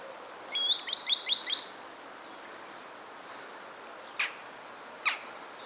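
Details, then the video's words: Green sandpiper spring song recorded 24 January 2015: a quick run of five rising, whistled high notes, followed by two sharp clicks in a quiet background. "Fluierari de zavoi, cantec, Tringa ochropus, song, Green Sandpiper"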